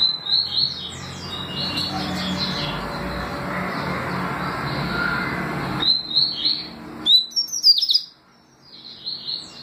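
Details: Double-collared seedeater song of the tui tui and deputado styles: high whistled upslurred notes first half-buried under a broad rushing noise, then after a sudden drop in the noise a cleaner burst of sharp rising whistles.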